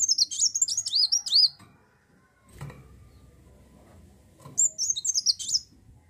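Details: Olive-backed sunbird in energetic 'gacor' song, played to draw other birds into singing: an opening burst of thin, bouncing high notes, a faint knock, then another quick twittering phrase.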